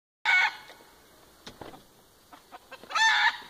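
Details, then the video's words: A rooster gives two loud, harsh, rasping alarm squawks about two and a half seconds apart, with faint clicks and rustles between, warning that a hawk has come for the hens' chicks. "el gallo nos está indicando que vino el halcón"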